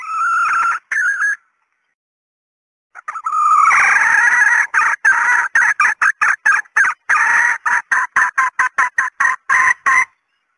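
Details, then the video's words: Hen red junglefowl luring call to attract males: a few harsh squawks, a pause, then a long stream of loud, rapid clucking notes repeated steadily, several per second. "SUARA PEMIKAT TERBAIK AYAM HUTAN BETINA"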